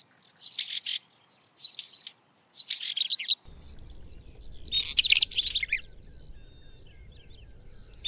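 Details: Song of a Northern wheatear: three short, harsh, rattling chatter bursts at roughly one-second intervals, then after a pause a longer, fuller scratchy phrase with squeaky notes. A faint low rumble runs in the background.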